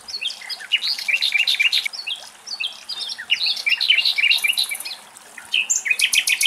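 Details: Common nightingales singing in Greek nature: a rapid, varied stream of bright chirps, whistles and short trills with hardly a pause, possibly more than one bird at once.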